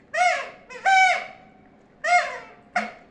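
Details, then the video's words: A talking parrot voices four raspy, harmonic syllables over three seconds. Some hold a steady pitch and others drop away at the end, with short pauses between them. "talking parrot"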